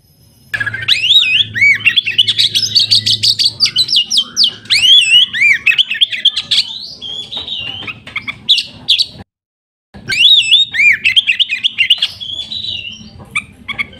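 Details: Oriental magpie-robin, known locally as kacer, from an enthusiast's collection in full, lively song: a long, continuous, varied stream of whistles, trills and slurred notes with a brief cut partway through.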